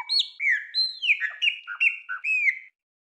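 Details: A Brazilian Cerrado songbird delivers a quick run of clear, slurred whistles, some rising and some falling, about seven phrases in under three seconds, with no other sounds.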